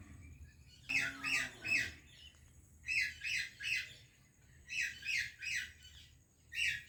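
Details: Parrot from India greeting a parrot from Pakistan: harsh, buzzy squawks in three bursts of three, each about a third of a second, then a single squawk, with a brief low tone near the start.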